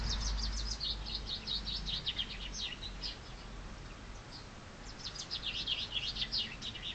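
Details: Spring chaffinch song: a bright trill tumbling downward across three seconds, a pause, then a second cascading phrase of quick high notes.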